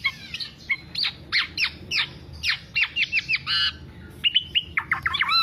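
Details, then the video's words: Black-naped oriole in continuous song for songbird keepers' lure and master training: rapid string of harsh, nasal squawk notes about twice a second, then a short pause and a burst of clearer whistled, bending notes. "Kepodang Podang kicau sampe telerrr"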